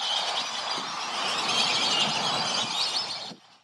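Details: Large group of Black-bellied Whistling-Ducks giving their classic call, a dense, continuous chorus of high, squealing whistles overlapping without a break, then stopping abruptly; commonly heard in the southern US, also flying over.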